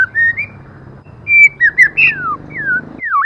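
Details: Female white-rumped shama used with a male as a lure to provoke other shamas: long smooth whistles, a few short bright notes and a falling slur, over steady low background noise.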